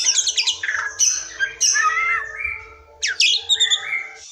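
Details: Rapid, varied song of a forest white-rumped shama, played to prompt silent or young birds to sing: harsh squawky bursts mixed with warbled whistles and sudden high sweeping notes, broken by short gaps.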